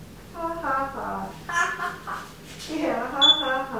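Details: Pet African grey parrot indoors in a small room saying in a clear human-like voice that the pine nuts are all gone, a run of several short spoken phrases ending in a brief high whistle.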